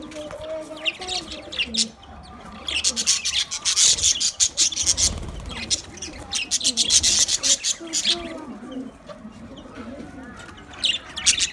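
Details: Several budgerigars chattering to each other, with dense rapid high chirps and scratchy trills that come in waves and a quieter murmuring warble underneath.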